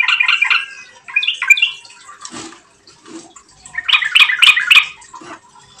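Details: Yellow-vented bulbul lure song to prompt singing: a short bubbly phrase opens, then scattered soft notes and light dripping sounds, followed by a loud burst of sharp, rapidly repeated chirps.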